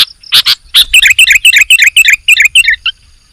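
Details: Singing sooty-headed bulbul: two harsh opening notes followed by a quick, slightly descending run of about ten bright chirps that fades out.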